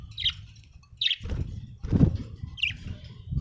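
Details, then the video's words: Budgie chirping: three short, bright chirps spaced about a second apart, over low rumbling background noise and a thud. "budgie chirping sound"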